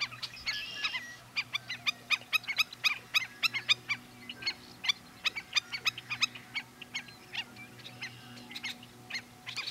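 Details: Black-necked stilts at Sunnyside Wildlife Area, Yakima County, Washington, give sharp, yapping kek notes in rapid, uneven bursts, several birds overlapping, over a low steady hum.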